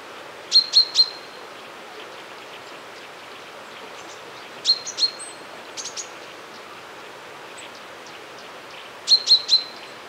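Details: Common chaffinch calling, recorded with a Sennheiser MKE 600 microphone on a Zoom F1: three bursts of sharp, high, metallic notes, each burst a quick triplet, spaced about four seconds apart over quiet outdoor background hiss.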